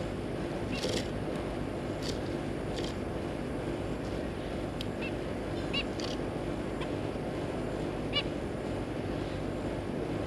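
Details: Zebra finch family of two parents and three juvenile babies, kept birds, recorded 3 July 2022: sparse short nasal beeps spaced several seconds apart across ten seconds, against a persistent droning hum.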